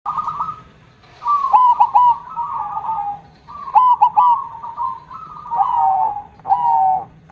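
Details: Zebra dove (perkutut) singing actively with a big, 'kong'-style voice: low cooing phrases, each opening with quick stuttered notes and running into a wavering, trilled coo, four phrases separated by short pauses.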